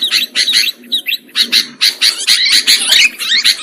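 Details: Sooty-headed bulbuls calling on a trapping lure track: short rasping bursts at first, then a run of squeaky, rising and falling chatter.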